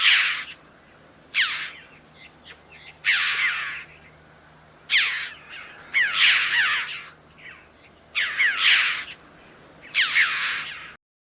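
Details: Flocking, resident Red-billed Chough calling repeatedly: about nine harsh, high, ringing calls with downward-sweeping notes, delivered every one to two seconds, some paired, with short quieter chatters in between.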